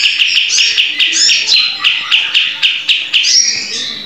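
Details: Sooty-headed bulbul in a cage, recorded as a tutor song for other cage birds, giving rapid, ringing chirps about four per second, with a few higher rising whistles mixed between the steady bright notes.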